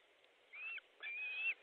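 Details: Osprey nest in Estonia, fish delivery on 14 July 2014 around 12:50: two thin whistled notes, a brief one then a longer, steadily rising one, over a soft hiss.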